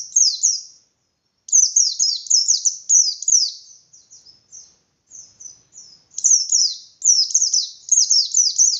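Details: White-eye in energetic ngalas singing with open beak, used as a provoking lure for less combative white-eyes: long runs of fast, high, downslurred chattering notes, with a short pause and quieter phrases midway.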